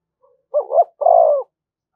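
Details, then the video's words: Single phrase of a spotted dove calling to provoke other doves: a quick two-note hollow lead-in then a sustained, burry coo, lasting about one second. "tiếng chim cu gáy kích bổi"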